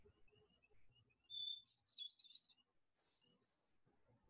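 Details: Hermit thrush (Catharus guttatus), Vermont's state bird, sings a clear held opening note, then a quick, flute-like, fluttering spiral of higher notes, followed by a fainter second phrase, over faint room noise.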